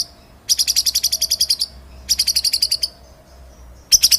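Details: White-rumped shama song used to train other birds: two rapid rattling trills of evenly repeated high notes, each about a second long, with a brief burst at the end.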